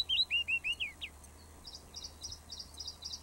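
Willow warbler: a quick run of sweet, slurred whistles falling down the scale, followed by fainter high, thin notes trailing off.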